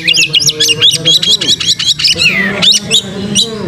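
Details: Oriental magpie-robin lure song for triggering tail-opening display: a fast series of repeated scratchy high phrases, a long downslurred whistle, then a few sharp chips, with a steady low hum beneath.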